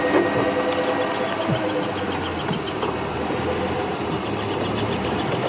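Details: Idling safari vehicle engine hums steadily through a sunset drive at Djuma in Africa, with no animal voice standing out.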